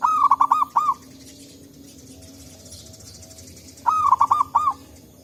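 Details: Local zebra dove in forest, song used to lure and prompt other birds: two phrases of five fast, bouncy cooing notes, roughly four seconds apart, with quiet background between.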